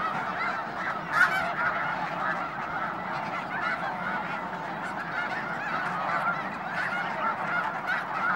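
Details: Flock of snow geese calling at the Hayton reserve in the Skagit Wildlife Area near Conway, Washington; many birds honking at once, a constant clamor of high nasal yelps with occasional louder nearby notes.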